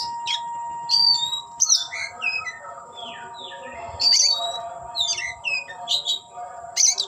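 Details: Oriental magpie-robin singing while displaying and opening its tail: loud high whistled notes and fast downslurred chirps in bursts, with pauses between phrases, over a steady low hum and a faint tonal background note.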